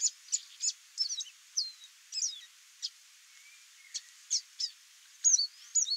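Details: Wild chestnut seedeater singing free in nature: short high notes and quick slurred whistles, some falling or rising, delivered in loose bursts with brief pauses, a few lower drawn-out whistles between them.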